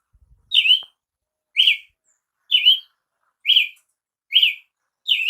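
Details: Six crisp, arched chirps from a Brazilian tanager (tiê-sangue) at steady intervals of about a second, preceded by a few faint taps.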